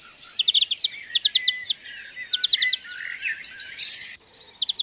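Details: Wild European greenfinch giving short bursts of quick twittering notes in small groups, fairly faint against a steady high hiss of background noise, with a brief break near the end.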